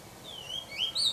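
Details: Oriental magpie-robin at the nest feeding its young, recorded from a high camera position; thin whistled notes slide down, then rise in quick, bright upward sweeps.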